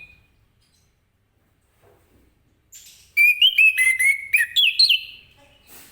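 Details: Morning ngeplong-style song of an orange-headed thrush, used to get other birds singing: after near silence, a loud burst of varied whistled phrases with chirpy, stepped pitch jumps lasting about two seconds, then quiet.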